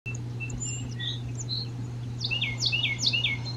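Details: Male Carolina wren singing its classic fast 'teacher teacher teacher' song: after a few faint high whistles, a rapid run of sharp downslurred two-part phrases begins halfway through, over a steady low electrical hum.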